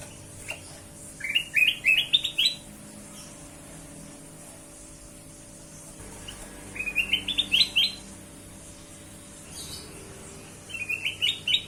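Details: Bulbul known as kutilang emas, its song used to lure other birds, gives three separate bursts of quick, rising chirps that climb step by step, each burst about a second long, with soft background hum between.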